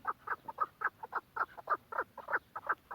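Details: Loud, clipped chucking calls from a Quetta chukar partridge, roughly three notes a second, some doubled, each note a sharp harsh syllable.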